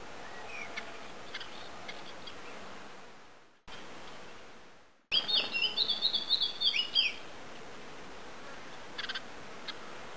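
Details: Eurasian blue tit from a new family that settled in the area, recorded 5 and 12 May 2012; a two-second burst of rapid, high, thin chirps follows a silent gap, with a few faint chirps later.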